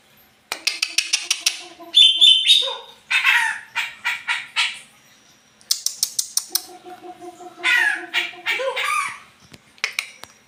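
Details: Greater green leafbird giving a strange call said to leave rivals stunned: bursts of rapid clicking notes alternate with harsh, squawky phrases and a few thin whistles, in two runs separated by a short pause.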